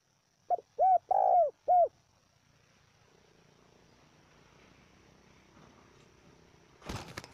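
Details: Spotted dove call used to rouse and train captive lure birds: one phrase of a short soft note followed by three mellow hooting coos, the middle one longest, then quiet with a brief rustling clatter at the end.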